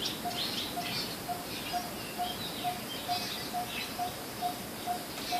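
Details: Coppersmith barbet giving an even series of short, low 'tuk' notes spaced roughly half a second apart, with faint high chirps from other birds in the background.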